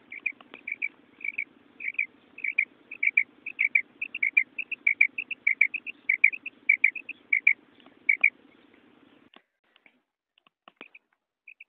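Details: Female quail calling in Pakistan, a sound used to lure males for hunting. Sharp, high double chips repeat about every half second for eight seconds over a low steady hum, then fade to a few scattered notes and clicks.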